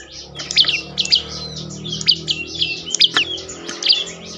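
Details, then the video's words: A prinia, called prenjak lumut, delivers its song as bait to make other birds sing: a string of bright, squeaky, high chirps at an uneven pace against a faint low rumble. "prenjak lumut lain makin tergoda berbunyi"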